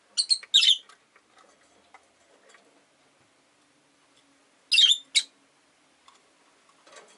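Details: Paired scratchy chirps at the start and again after a long pause from Rosy-faced lovebirds competing for perch space. Five birds caged by a window; rain outside, faint street sounds and soft rustling between calls.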